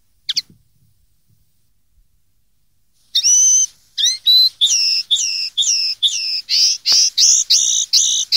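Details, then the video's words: Common linnet song used to tutor young linnets: a brief chirp, then a long run of loud, repeated twittering notes at a steady fast pace, each note a rich, slightly nasal warble, in a clean recording. "cd educar pardillos noveles 2013"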